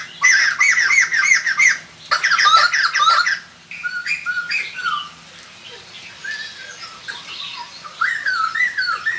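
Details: White-crested laughingthrush singing as a decoy to lure wild birds: loud bursts of rapid, harsh, chattering notes with rising-falling warbles, the first two bursts strongest, later phrases softer and more scattered.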